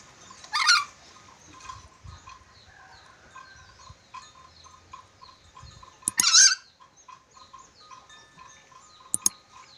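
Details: Red-breasted parakeet from Sulawesi, a bird said to whistle well with many whistles, gives two loud harsh screeching bursts several seconds apart over steady chirping of small birds.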